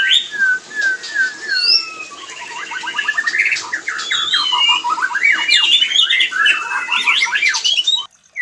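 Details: White-rumped shama during mating, a recording meant to trigger breeding urge in other shamas; drawn-out whistles open into a dense run of rapid repeated slurred notes and chirps before the sound cuts off.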